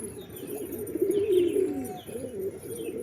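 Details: Continuous low pigeon cooing, a wavering throaty phrase swelling in the middle then fading, with faint higher chirps above.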